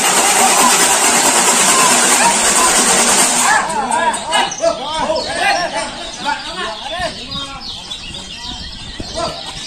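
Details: A Lemon-bellied White-eye, a male at a singing competition, pours out quick, arched chirping notes, about three per second, after a loud burst of engine-like hiss at the start.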